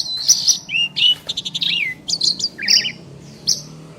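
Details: Asian pied starlings, two champion birds, dueting: short bursts of high chirps, a quick series of clicks, a descending whistled slur and a fast warbled trill, spaced by brief pauses.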